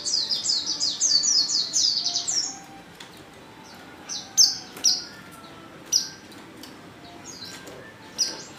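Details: Female Oriental white-eye lure call used to set males singing: a rapid burst of high chirps for two and a half seconds, then single thin downslurred notes spaced about a second apart.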